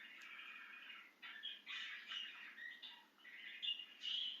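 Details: Budgerigar out of its cage and excited, producing rapid squawky chattering warbles in uneven bursts above a constant low hiss.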